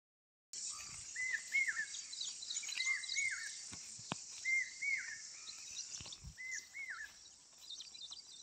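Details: Asian koel calling outdoors: paired hooked whistled notes, each pair rising then dropping, repeated about every one and a half seconds, over a steady high insect hum with a few clicks and faint other chirps.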